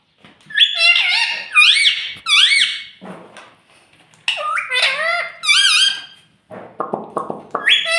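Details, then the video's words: Talking pet parrot, kept indoors, known for saying "mummy" and "mittu"; bursts of shrill, nasal, speech-like syllables in quick groups with short pauses, ending in a run of rapid buzzy clicks. "Ye mittu mummy bolne wala tota [] Talking Parrot [] mitthu mitthu"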